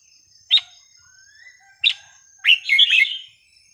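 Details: Red-whiskered bulbul, song played to teach young birds: two separate sharp clipped notes a second apart, then a fast bubbling phrase of rich warbled whistles.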